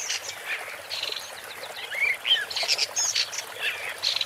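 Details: Scratchy, warbling woodchat shrike song mixing harsh chatter with a few clear slurred whistles, phrases running almost continuously for several seconds.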